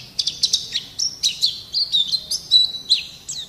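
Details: Energetic pleci (white-eye) song for training caged birds: a fast run of high, bright chirps and falling whistled slurs, each note brief and crisp, delivered without pause over a quiet backdrop.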